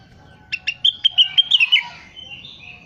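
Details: Crested partridge (rengganis) calling vigorously for tutoring use: two short clicks, then a rapid string of bright whistled notes that drift downward, followed by fainter drawn-out whistles and a steady low hum.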